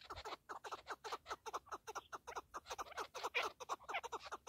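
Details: Partridge delivering a quick, repeated string of coarse clucking notes, several per second, slightly uneven in loudness, keeping up a steady chattering rhythm.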